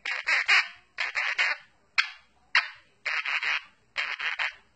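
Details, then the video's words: Pet Quaker parrot singing the Addams Family song: harsh, raspy squawked notes in the tune's rhythm, triplets of notes, then two single sharp notes, then two more triplets, about one phrase per second, with no other sounds. "Quaker Parrot singing the Addams Family song"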